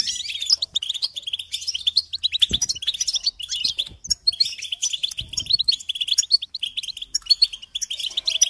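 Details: Goldfinches twittering continuously, with rapid bubbling chirps and short trilled runs, interrupted by a couple of brief low thumps.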